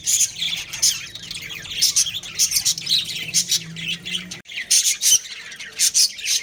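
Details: Domestic budgerigar breeding pair with rhythmic scratchy chirps and squeaky notes, roughly two or three per second, a short pause near the end, then more chirping; faint low hum beneath.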